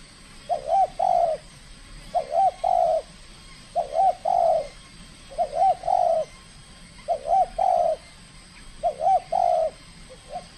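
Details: Spotted dove (tekukur) trained for competition, showing its skill with evenly spaced cooing phrases, each a quick double note then a longer low coo, repeated roughly every two seconds about five times, with a faint steady hiss.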